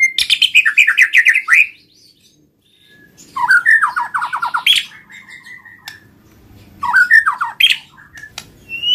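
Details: Caged white-rumped shama singing a song meant to get other shamas singing: rapid descending series of whistled notes, buzzy chattering bursts and long slurred whistles, in three phrases with short gaps between them.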